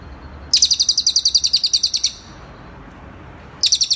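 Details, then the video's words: Cililin tutor-song recording: a quick trill of high, clipped notes lasting about one and a half seconds, a quiet gap, then the same rapid chirping beginning again. "masteran burung cililin"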